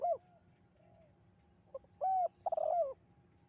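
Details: Spotted dove, 'kuk 2' song style, echoing and melodious: a lone coo, a pause with soft faint notes, then a short clipped note, a clear arched coo and a rolling, burbled coo that slides downward.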